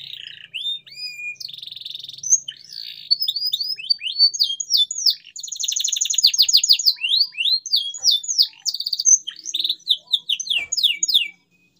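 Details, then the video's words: Lively canary song intended to make mute canaries sing: varied whistled sweeps, buzzy trills and rapid rolls packed together over about eleven seconds, ending abruptly in silence. "CUITAN KENARI 100% GACOR PERANGSANG KENARI BISU AGAR KEMBALI GACOR"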